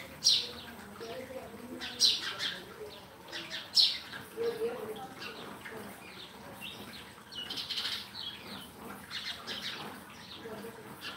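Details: Sparrow giving sharp high chirps repeated roughly every two seconds, with softer twittering in between and steady low background noise.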